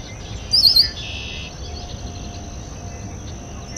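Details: Red-winged blackbird by a water basin: three rapid, high, downslurred chips in under half a second, then a brief buzzy hum, with steady background hiss.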